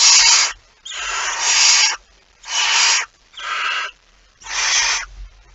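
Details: Barn owl at its nest with prey, recorded 23 September 2019: five harsh, breathy hisses, each about half a second to a second long, separated by short silences, with faint low rumbling underneath.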